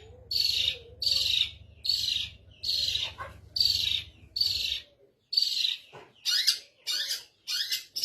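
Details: Long-tailed shrike, a caged bird in a training recording with its cover opened, giving loud rasping, broadband notes roughly every three quarters of a second, with a low hum behind the first half.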